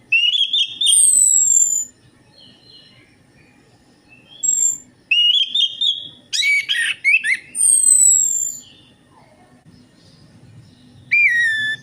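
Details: Orange-headed thrush song played as a lure to prompt singing: loud bursts of rich whistled phrases with buzzy, sharply descending high notes, separated by pauses of a few seconds.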